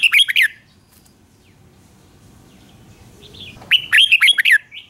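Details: Red-whiskered bulbul morning song used for training, two short bursts of warbled, slurred notes with a gap of quiet between them, each phrase a quick run of bright, rising and falling whistles; faint low background hum.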